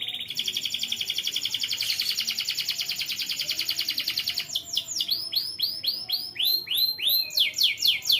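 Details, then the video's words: Canary song played to young canaries to prompt them to sing: a long, high, steady rolling trill of rapid notes, followed by a series of looping arched whistles repeated several times. "BUAT KENARI PAUD LEBIH RAJIN BUNYI"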